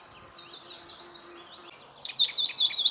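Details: Icterine warbler in a birch grove: faint high slurred notes with a low hum, then a loud burst of sharp repeated whistled chirps in quick succession.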